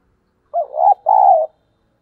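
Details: Spotted dove coo played to attract wild doves: a single loud phrase of a short hoot sliding up into a wavering note, a tiny break, then a long, even, low coo.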